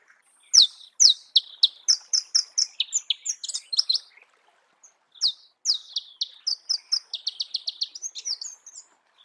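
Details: High, sharp chips tumble in quick succession from a Marico sunbird in the wild, each note dropping in pitch, delivered in two lively bursts of roughly a dozen notes separated by a brief gap.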